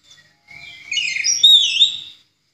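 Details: Orange-headed thrush in 'ngeplong' voice, recorded to train other songbirds: a single swelling phrase of sliding whistled notes that grows louder, with looping rising and falling slurs, fading after about two seconds.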